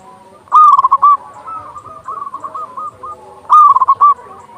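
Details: Big-voiced local zebra dove song meant to stir other doves to sing and breed: loud bursts of rapid, clipped coos about three seconds apart, with a softer run of cooing notes between.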